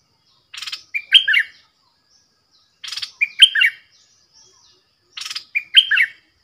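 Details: Caged bulbul acting as a decoy for wild birds, 13 April 2021, singing the same phrase three times about every two and a half seconds: a scratchy burst followed by a bubbly, warbled run of three notes.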